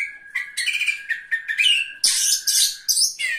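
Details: Oriental magpie-robin singing at a bird singing contest where it placed third; rich, rapid song of whistled notes and buzzy, rising phrases jumping between registers, with a steady tone held underneath.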